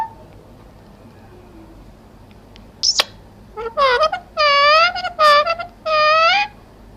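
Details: A talking parrot producing a string of clipped, speech-like syllables after a sharp squeak, the later sounds drawn-out and nasal, in a quiet indoor setting.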